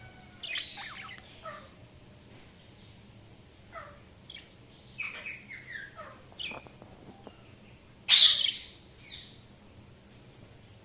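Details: Budgerigars chirping in scattered, brief high notes: short scratchy tweets and clicks spaced irregularly, with one loud harsh screech near the end.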